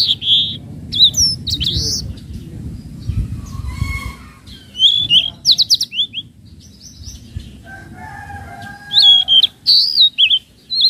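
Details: Flowerpecker (tledekan laut) lure call in the trotol style, for training untamed birds: lively bursts of high, sharp, slurred tsit notes and rapid ticks, separated by quiet stretches with faint low background noise.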